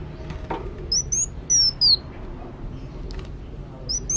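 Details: Sunbird singing: short, very high, piercing whistled notes, some sliding down, given in small clusters against constant low background noise.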